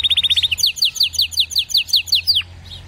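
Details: Canary singing: a rapid burst of about eight clipped repeated notes slides into a steady series of bright downward-sweeping whistles, roughly six per second, ending in one longer falling note.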